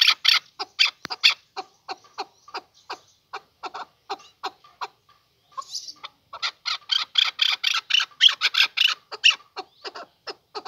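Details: Male chukar partridge giving a long series of rough chucking notes, loose and uneven at first, a brief pause, then a faster, louder run of harsh repeated notes.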